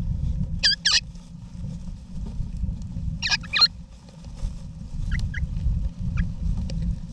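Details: Eastern rosella parents and babies sharing a backyard nest box in Australia, November 2018: two loud harsh double calls, then fainter, shorter notes later, over heavy low-pitched rumble.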